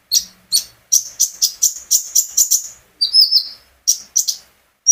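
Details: Olive-backed sunbird, a privately kept bird, singing to set off other birds: a fast series of sharp, high chirps about every quarter second, then a thin wavering whistle and a few more chirps.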